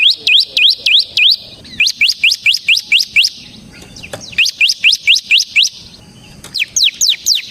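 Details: Bar-winged prinia (ciblek semi) singing ngebren gacor to lure other birds: phrases of five to eight high, falling chirps delivered quickly, separated by short pauses.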